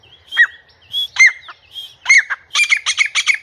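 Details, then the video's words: Kept grey francolin calling in a house: a few slurred, ringing notes that build into a fast burst of harsh, rapid pulses. Thin whistles from another bird sound between them. "grey Francolin calling in House"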